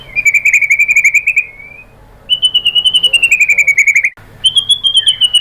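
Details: White-rumped shama song used as a lure to provoke other birds into singing: rapid trilled phrases around a steady mid-high pitch, repeated about four times a second, with a short pause and a higher, slightly falling trill.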